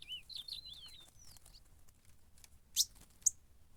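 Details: Fighting ultramarine grosbeak at a campeada gives a short burst of quick, twisting whistled notes for about a second and a half, then falls silent apart from two sharp clicks.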